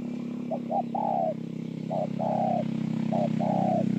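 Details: Spotted dove at Bờ Y in Kon Tum, Vietnam, on 28 November 2017, giving three short-then-long coo pairs over a loud, continuous engine-like drone.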